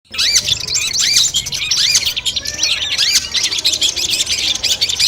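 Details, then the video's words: Long-tailed shrike (cendet) song from a compilation played as training audio before a competition: dense, rapid chattering with sharp rising and falling whistled notes, overlapping phrases packed tightly without pauses. "masteran kumpulan suara cendet tes mental sebelum lomba"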